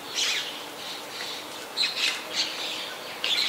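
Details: Harsh grating squawks from a White-vented myna, Ubon Ratchathani, Thailand, 21 October 2021, several rasping notes in quick succession with a loud burst at the start and another at the end.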